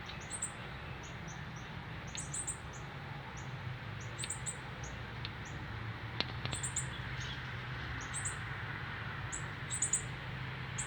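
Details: Northern cardinal fledgling on its first day out of the nest, begging while an adult male feeds it, Canada, September 12, 2020: thin, very high chips in quick pairs and triplets, repeated irregularly over a steady low rumble.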